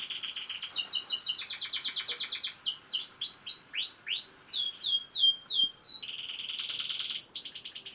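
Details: Young F1 canary, six months old and learning its song, gives rapid rattling trills, a run of sweeping upslurred whistles and a steady buzzy trill, in quick alternating phrases.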